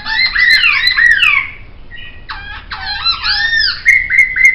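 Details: Laughingthrush song used as a training master: loud, varied whistled phrases with swooping rising and falling notes, a brief quieter gap, then fast rolling trills and looping whistles, ending in sharp clear notes.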